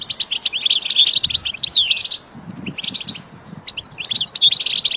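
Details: Recording for caged goldfinch training: energetic bursts of fast, high twittering and whistled slurs, separated by a silent gap of about a second and a half, then resuming.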